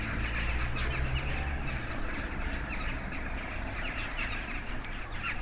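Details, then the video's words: Thousands of crows gathered over Maasmechelen, Belgium, on 9 March 2015: a dense wall of overlapping harsh calls from many birds at once, with a low engine-like rumble underneath during the first two seconds. "1000's Of Crows in Maasmechelen in Belgium"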